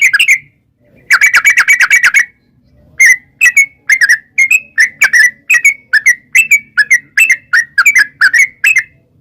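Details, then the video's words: Lure song of a sooty-headed bulbul, meant to draw wild birds into replying: a rapid chattering run of notes, a pause, then steady repeated liquid whistled phrases, roughly two each second. "trucukan gacor ROPEL PANJANG buat pancingan trucukan agar bunyi jadikan burung trucuk gacor NYAUT"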